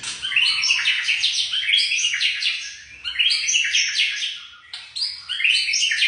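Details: Young white-rumped shama singing: dense, varied phrases of rapid chirps, trills and downward-sweeping notes, given in bursts with brief pauses, bright and high-pitched throughout.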